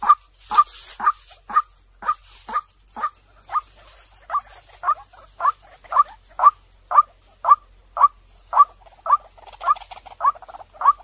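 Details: Regular, clean notes from a white-breasted waterhen used to lure birds in, each short with a rising tick, repeated about twice a second for eleven seconds against near silence.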